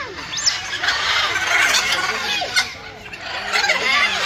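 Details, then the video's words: Macaws give harsh, raspy squawks and grating chatter in a busy, noisy stretch. Several calls overlap, possibly during a squabble, with possible voices or talking underneath. "Macaw Parrot 🦜 Nice Sound and Talking Macaw"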